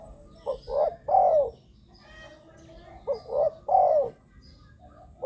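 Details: Wild-dove lure recording of a spotted dove for decoys on the ground, a branch or a trap cage; two matching phrases, each a short note and two deep falling coos, separated by a quiet pause.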